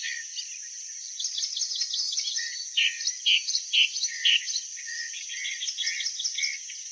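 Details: Clamorous reed warbler song: a soft chatter that swells into a series of five loud, harsh, evenly spaced notes around the middle, then returns to lower chattering. Constant high-pitched background hiss.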